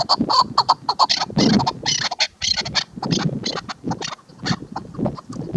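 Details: Chukar partridge (Alectoris chukar), female call.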